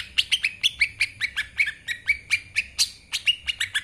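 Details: Lesser green leafbird singing as a master recording for training birds: rapid, sharp chirped notes about two per second, each sweeping down across a high band, steady and lively throughout.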